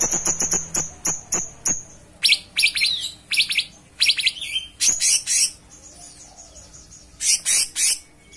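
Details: Cucak cungkok in full song: rapid run of sharp ticking chirps at the start, then loud buzzy high bursts and grouped chirps with brief pauses, over a faint low hum.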